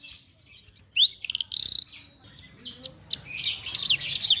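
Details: Javan bush lark of the parva form, clear-voiced full song: a high whistle, rising slurred notes, then a fast buzzy trill, a short gap, and a jumbled stream of scratchy chatter and upswept notes.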